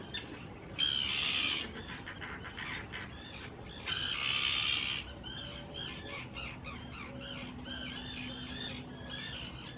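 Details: Spring 2018 courtship at a nesting colony on built islands in Israel's Hula reserve: Common terns give loud, grating, drawn-out screeches, two long harsh bursts followed by quicker, rising-falling chattering calls from many birds.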